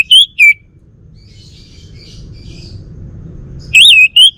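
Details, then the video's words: Male orange-headed thrush of Bali, kept at home in Singaraja, gives two quick whistled notes, then a pause, then a short burst of rising and falling whistles. "Kicau Burung ANIS MERAH Bali Jantan"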